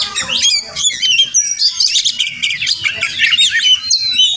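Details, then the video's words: Fast, tuneful outpouring from a wild Oriental magpie-robin that appears at a home every morning, possibly nesting nearby; bright whistles and chirpy trills tumble together almost without pause. "Crazy Sounds of Village Magpie Birds"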